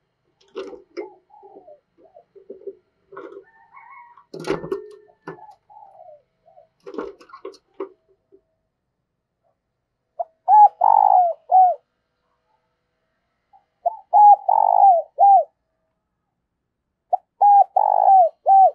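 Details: A spotted dove used as a trapping lure coos: soft jumbled notes giving way to loud, clear, arched coos in short bursts.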